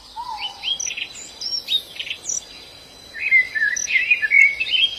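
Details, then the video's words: Wild white-eye singing in the open: quick high chirps and twittering notes in two bursts, with a lower drawn-out whistle near the start, over a steady insect hum. "Suara burung Pleci dialam bebas"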